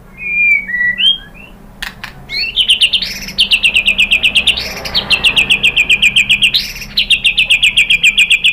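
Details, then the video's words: Song of a white-rumped shama meant to provoke other birds to sing: it opens with two falling whistles, then runs into long fast trills of bright high notes, about four per second, broken by short swelling accents. "KICAUAN MURAI BATU merangsang BUNYI jadi NYAUT GACOR NGEPLONG BONGKAR ISIAN ¦ PANCINGAN MURAI"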